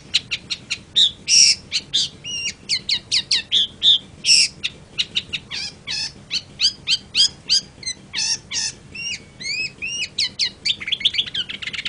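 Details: Long-tailed shrike, locally called cendet, in a long, varied song of rapid harsh chattering notes mixed with short hooked whistles and buzzy phrases, pace quickening toward the end.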